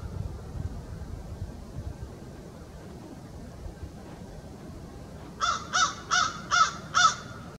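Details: An American crow cawing to its social group in winter at Valens Conservation Area on January 26, 2020 gives five harsh, hoarse caws in quick succession, about three per second, after a stretch of low rumbling background noise.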